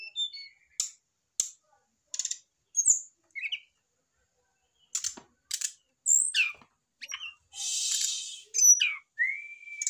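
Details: Brown-chested jungle flycatcher, a settled caged male reacting to a female placed beside him, used to prompt singing; sharp high chirps, short downslurred whistles and a rasping burst, in clear separate phrases with silences.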